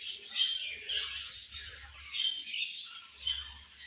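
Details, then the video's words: Budgerigars chattering nonstop with high scratchy warbles and thin whistled squeaks, plus a faint low hum. "Very Charming Colorful Beautiful Budgies Chirping Sounds"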